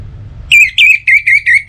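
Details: Orange-headed thrush song played as a lure for morning and evening to spur birds into singing: a quick series of six loud, pure whistled notes at an even pitch, evenly spaced, after a moment of low rumble.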